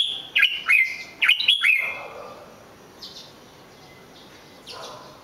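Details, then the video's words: Red-whiskered bulbul gives a short burst of bright, bouncy whistled notes in the first two seconds, followed by near quiet with a faint distant note near the end. "chào mào hót cực hay"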